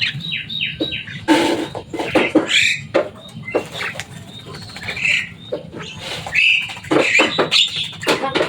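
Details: Noisy Javan myna, kept and known to copy human words, chattering in a fast jumble of squeaky chirps, clicks and harsh rasping notes with hardly a break.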